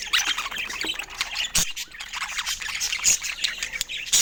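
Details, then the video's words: Pet budgerigar chattering in a lively stream of high squeaks, chirps and scratchy warbled notes, with a few sharp clicks, nearly continuous. "Funny Budgie Sounds Full of Love"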